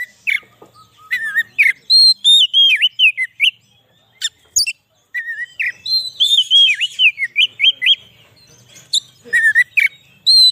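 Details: Oriental magpie-robin singing, a recording meant for luring wild birds and stirring up kept ones; bright, fast whistled phrases of wavering and falling notes in bursts separated by short pauses, with a faint low hum.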